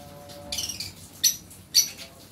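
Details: Lovebird; song; mating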